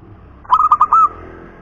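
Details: Zebra dove, a local perkutut of the punden type: a quick run of four short, clipped cooing notes ending in one longer, drawn-out coo, all at a steady mid pitch, over a quiet background hiss.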